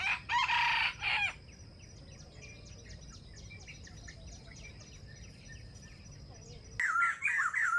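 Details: Wild chickens competing to crow near a bait trap: a harsh crow opens, followed by several seconds of small birds chirping rapidly, then another loud crowing phrase at the end.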